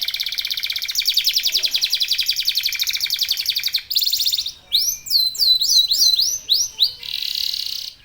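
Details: Local domestic canary singing intensely to draw other canaries into song: a fast rolling trill for several seconds, followed by loud, spaced, swooping high notes.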